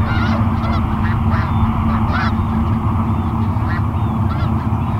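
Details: Flock of snow geese at Garry Point Park in Steveston, BC, Canada, 21 January 2019, agitated after being woken from an afternoon sleep by a hovercraft: quick bursts of harsh honking, several per second, half-buried under a heavy droning roar.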